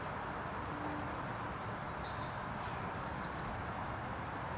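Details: Goldcrest in bushes at Rooksbury Mill Local Nature Reserve, 3 December 2017, overcast. A few sparse, very high, thin notes give way to a brief chirpy flurry near the end, set against a continuous traffic rumble from the nearby A303.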